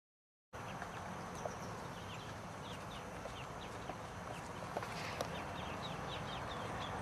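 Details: A group of ducklings gives a continuous chorus of thin falling peeps, several per second and overlapping, starting after half a second of silence, over a constant low rumble and occasional faint taps.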